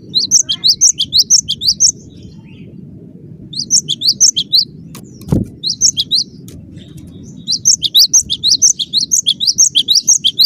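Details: Cinereous tit singing vigorous 'gacor' song: long runs of rapid, high, rising chirps in several bursts, interrupted by a single dull thump midway, over a constant low background hum.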